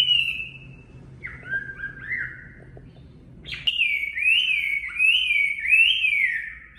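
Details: Chinese hwamei singing natural 'mộc' song for caged-bird voice training: a descending whistle, then softer slurred notes, a short pause, and a loud burst of wavering, looping whistles.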